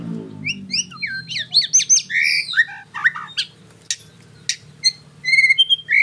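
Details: White-rumped shama song: a fast, varied stream of clear whistles, slurred rising and falling phrases and sharp chips, ending in quick repeated notes, over a steady low hum.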